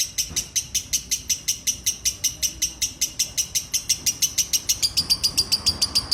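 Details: Lovebird singing in the ngekek style: an unbroken run of sharp, high chattering chirps, roughly four per second, evenly paced for six seconds and slightly quicker and thinner toward the end.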